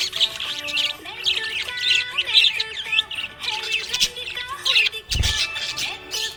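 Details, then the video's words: A happy pet budgerigar chirping: quick, scratchy warbles and bright chirps in bursts, over music with steady sustained tones throughout and a brief low thump near the end. "Happy budgie chirping sound"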